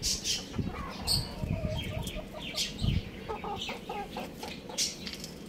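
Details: Young roosters and chicks at home, playing: soft low clucks repeated irregularly with brief high chirps and peeps scattered throughout, plus light rustling and scratching.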